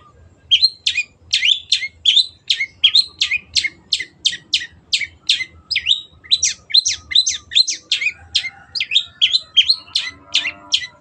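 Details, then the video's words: A cendet (Long-tailed shrike) sings a long, steady 'gacor' phrase with a clear voice. Rapid downslurred whistled notes repeat about three per second without a break for ten seconds. A faint warbling sounds low in the background. "MASTERAN BURUNG CENDET GACOR"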